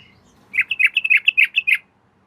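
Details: At night, a female yellow-vented bulbul calls the male with one quick phrase of about ten bubbly, gurgling notes run close together and lasting a little over a second, over a faint low hum.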